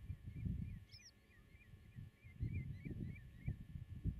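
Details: Common redshank at the nest in a farm meadow, camera set 8 m away: a quick run of about ten short, arched piping notes, one loud rising-falling call mid-way, over low wind rumble.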